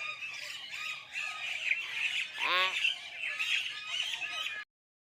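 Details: Common hill myna imitating human language, a loud harmonic squawk-like phrase with a falling sweep near the middle, set among busy chattering, scratchy background noise and a brief Vietnamese spoken phrase just before.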